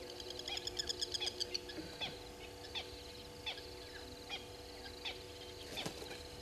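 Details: Red-billed hornbill at Gowrie dam waterhole, Djuma Game Reserve, Sabi Sand, South Africa, at 05:53 on 04/03/2022: a quick run of clucking notes, then single clucks about a second apart, over a steady low electrical hum.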